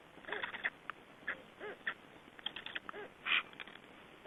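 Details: Black stork returning to its just-hatched chicks, Estonia, 2012: a series of short, hoarse, arching notes and noisy bursts scattered over four seconds, with a rougher, louder burst near the end, over steady background hiss.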